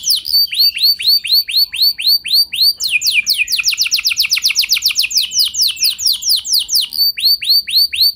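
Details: Canary song used as a lure to prompt other canaries into long singing: rapid repeated down-slurred high notes, then a fast buzzy trill of steep sweeps, returning to slower looping whistled phrases.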